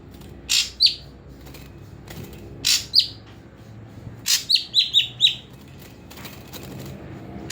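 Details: Ashy drongo in a cage, part of a morning and evening care routine of bathing and airing under a cage cover. Scratchy broadband bursts, each tipped with a high downslurred whistle, build to a quick run of four whistled notes.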